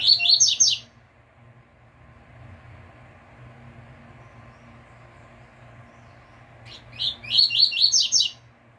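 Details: Double-collared seedeater singing the pure tui tui fibra style, used as a tutor recording for caged birds. A fast run of high sharp notes opens the recording, then a long quiet pause with a low hum, then another high rapid burst.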